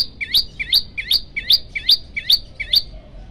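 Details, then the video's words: A hungry, energetic prinia (prenjak lumut) repeats a sharp, high, slurred chirp seven times, about every 0.4 seconds, in a brisk steady series over faint hum; used as a training recording for other birds. "prenjak lumut lapar gacor"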